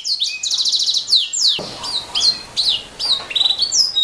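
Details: Caged canary singing as a master track for tutoring other songbirds: opens with a rapid rattling trill, then a chain of quick descending whistled slurs and chirps; faint low background noise enters midway.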